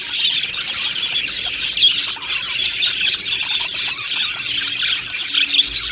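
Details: Budgie colony kept in an aviary, chattering cheerfully: many birds give overlapping high chirps, warbles and brief squeals in a constant busy wash, with a low electrical-sounding hum beneath.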